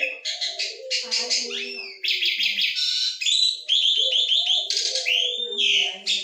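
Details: Asian pied starling singing a chatty, varied song of mimicked sounds: dense harsh chatter, rising whistles and squeaky notes, with lower warbling notes mixed in throughout.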